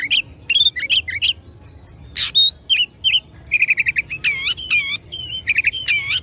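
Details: Oriental magpie-robin singing to provoke rivals in a fight: varied loud whistled phrases, a harsh wideband burst, a quick series of six clipped repeated notes, then looping downslurred whistles.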